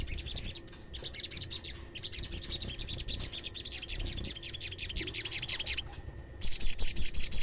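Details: Olive-backed sunbird (sogokontong) calls played to make other sunbirds call back: a dense, high chattering stream of rapid chips that builds in loudness, then a short pause and a sharper, evenly repeated trill at the end.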